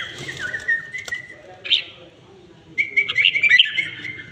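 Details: Red-whiskered bulbul, a well-tamed bird, with a slurred whistled phrase, a sharp higher note, a pause, then a rapid rippling twitter of bright chirps near the end.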